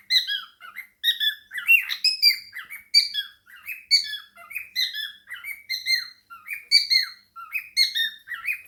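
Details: Pet male cockatiel kept indoors with budgies, chattering and singing while dancing; a dense, continuous run of short harmonic chirps and squeaks sliding downward, with a few brief pauses.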